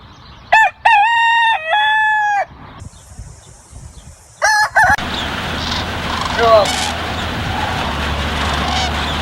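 A rooster gives one loud, hoarse crow in several stretched syllables, followed by short bursts of other sound and a steady noisy background.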